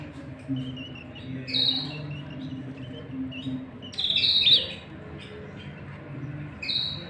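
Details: Male and female canaries courting, with chicks fed inside the nest; a few separate high bright chirps and short rising notes, spaced by pauses, over a low steady hum.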